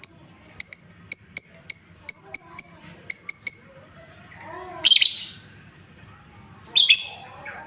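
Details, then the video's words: Lovebird sound meant to raise lovebirds' emotions: a rhythmic series of sharp clicking high notes for about four seconds, followed by two isolated raspy chirps. "Suara pancingan lovebird Bahan, menaikan emosi lovebird"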